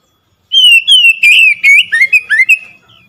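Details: Lure song of an Oriental magpie-robin, played to set a quiet bird singing: a sustained whistle, then quick wavering slurs and short upward-sweeping notes, loud and clear.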